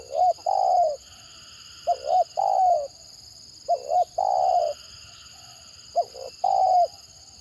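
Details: Stuttering spotted dove (tekukur gagap), a call style said to make other birds respond eagerly, heard in a dove-trapping context: four phrases of clipped double coos and a drawn-out, downward-sliding coo, spaced nearly two seconds apart, with constant faint hiss.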